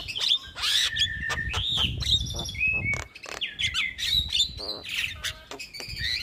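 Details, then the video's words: Starling singing on a training recording for young birds: clear whistled notes, some held and rising or falling, mixed with sharp clicks and scratchy bursts, over low background rumble. "Masteran Burung Jalak Muda / Jalak Malas Bunyi Rutin Putarkan Agar Jalak Jadi Gacor"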